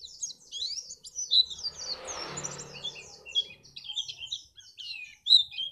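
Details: Dense, high-pitched white-eye twittering used to spur contest birds into song, with many rapid chirped notes tumbling over one another and a soft hiss of background noise midway.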